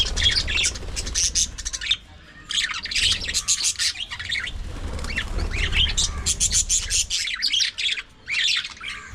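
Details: A group of budgies fills the air with loud, continuous warbling chatter, rapid scratchy chirps and squeaks tumbling over one another with only brief pauses.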